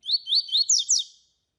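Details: Tui tui style song of a double-collared seedeater, used as a master song to train and warm up other seedeaters: one quick high phrase of about five upslurred whistled notes, the last ones sweeping higher, with no other sounds.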